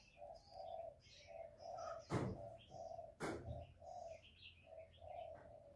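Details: Spotted dove cooing, used as a trapping lure: faint, low hollow coos repeated in steady phrases under background hiss, with two sharp loud knocks cutting through midway.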